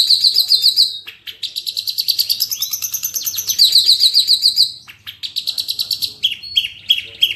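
A long-tailed shrike sings a fast, high, varied song of rapid repeated notes, scratchy trills and chattering phrases, with one brief break midway.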